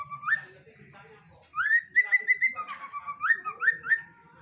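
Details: ['Female White-rumped shama singing rising whistled slurs, then a run of evenly spaced clear whistles and more upward-swept notes, with quiet background chatter.']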